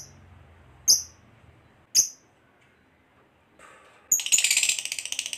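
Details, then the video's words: Fighter lovebird heard as a lure to stir other lovebirds into song: two sharp high chips a second apart, a short pause, then a loud, fast, buzzy chattering trill bursts in and continues. "Pancingan Lovebird FIGHTER Ngekek Panjang"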